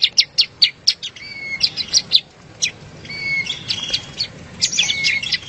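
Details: Bar-winged prinia song from a master track for training competition birds: scattered sharp high chips mixed with thin level whistles and buzzy notes, irregular in spacing, over a soft background hum.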